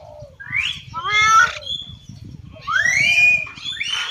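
Hill myna giving loud, rich whistles: a short falling note, a harsh harmonic burst, then a long rising whistle and a final clear note, over a low background rumble.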